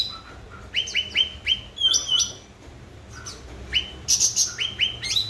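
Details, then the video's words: Lively grey-bellied bulbul (cucak ranting) song used to coax birds that have stopped singing: quick clusters of short rising chirps, a brief lull mid-way, then a dense bright burst and more flicked notes. "Burung Cucak Ranting Gacor//pancingan cucak Ranting Macet Bunyi."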